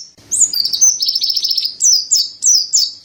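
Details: Mountain white-eye, called pleci dada putih, singing a gacor masteran song: rapid high chattering notes with bright downslurred whistles, first notes faint, then a dense run and repeated sharp descending phrases.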